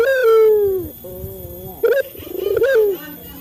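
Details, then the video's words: Lure coo from a male local Barbary dove for training captive birds. A loud falling coo ends in a faint low hum, followed by a short emphatic note and a pulsing, rising rolled coo. "Suara burung puter jantan | melatih burung puter lokal cepat bunyi | pancingan burung puter"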